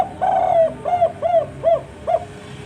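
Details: Spotted dove (tekukur) singing actively in the 'kuk 4' style: a long, soft, falling coo followed by four short, hollow, arched coos spaced about every half second, over a low steady background hum.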